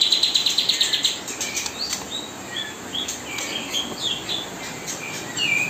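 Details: Kapas tembak bird singing nonstop as a mastering tutor beside white-rumped shama fledglings being hand-fed; a rapid train of buzzy high notes opens, then varied short whistled phrases, slurred upward and downward, with faint wing flutters.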